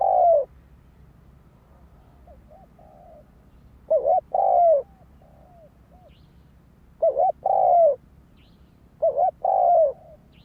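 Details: Spotted dove singing as a lure: four phrases of a doubled coo plus a long coo, with soft, quieter coo notes between them, over a low steady hum.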